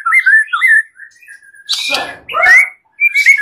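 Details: Master recording of a white-rumped shama, full song with clear voice for training other birds: short whistled notes, then a harsh buzzy rasp and a bright upward-sliding whistle.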